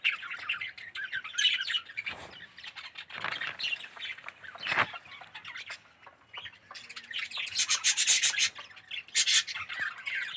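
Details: Colony of red-eyed yellow budgerigars in an aviary: overlapping chirps and scratchy warbles, with louder bursts at about 1.5, 3, 5 and 8–9 seconds and quieter gaps between.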